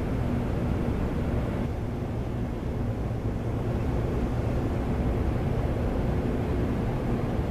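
Continuous loud low rumble like wind or engine noise fills the recording, with no animal calls.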